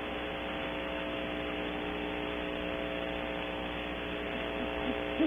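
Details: A steady electrical mains hum with layered tonal drones, inside a small space, with no animal voice heard.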